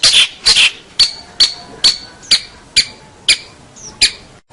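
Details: Prize-winning local long-tailed shrike singing: widely spaced sharp, scratchy notes, some with short thin whistled tails, coming roughly every half second and fading at the end.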